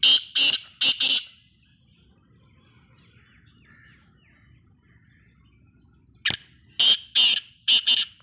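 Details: Black francolin, Sindhi nasal type, delivering two rounds of its grating call, each of three or four loud rasping bursts in quick succession, separated by about five seconds of faint background.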